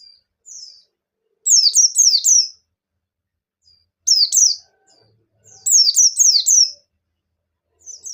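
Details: Bustomi white-eye singing vigorously as a stimulus for other white-eyes: brief thin notes, then bursts of rapid, high, downward-slurred whistles, about four per phrase, repeated roughly every two seconds in a quiet setting.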